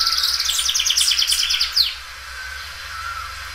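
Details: Belgian canary singing loudly: a quick run of rapid high repeated notes in a rolling trill, ending with a sharp downward whistle, then quiet.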